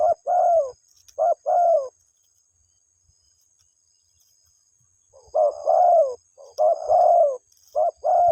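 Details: Spotted dove calling its mate: a few low coos, then about three seconds of silence, then more short and drawn-out hoots in quick succession.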